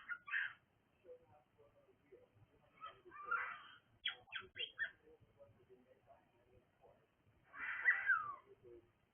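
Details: Cockatiel calling indoors: short harsh raspy screeches in scattered bursts, a cluster of quick rasping notes around the middle and a louder, longer screech near the end, with faint low rustling between.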